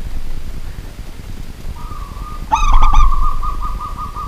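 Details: At night a local zebra dove gives a rapid, stammering series of ringing coo notes, while a steady flat tone runs underneath and continues afterward, against loud low background rumble.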